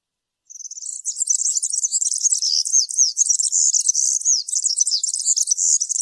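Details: European serin singing a wild, field-style ('campero') song, recorded as tutor song for young birds in moult: a continuous, rapid, high-pitched jingling of buzzy twitters and thin rising and falling trills with no pauses and no other sounds.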